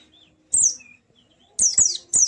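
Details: White-eye song meant to set a silent bird singing: brief, thin, very high descending twitters, one burst followed after a pause by three quick slurred notes close together.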